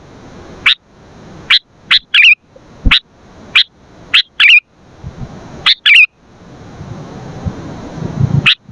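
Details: Sooty-headed bulbul in lively song, kept as a luring and training recording: sharp, piercing chirps, some paired with a quick bubbly trailing note, separated by pauses, with faint low background noise toward the end.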